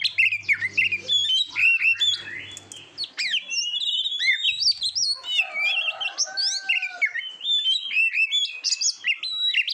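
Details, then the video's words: Indonesian training song of an Oriental magpie-robin kept for competition: long run of varied whistles, quick upslurs and chattering notes, a lower steady whistled pair midway, with a low humming noise during the opening seconds. "SUARA KICAUAN BURUNG KACER TERBAIK, PART 68 - MASTERAN KACER - KACER GACOR - PANCINGAN KACER"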